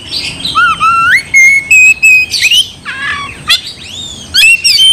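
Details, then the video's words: Oriental magpie-robin in full song, meant to provoke another magpie-robin into a furious fight; clear whistled notes, sliding and rising phrases mixed with sharp high chips, delivered in quick bursts with brief pauses. "gak mungkin gak nyaut Kacer gacor bikin kacer ngamuk"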